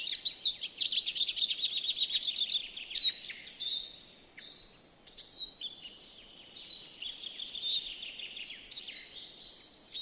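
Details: European greenfinch singing in a yard in Joroinen, Finland: a fast chirping trill of rapid repeated notes, then slower wheezy, buzzy drawn-out phrases at high pitch with faint background noise.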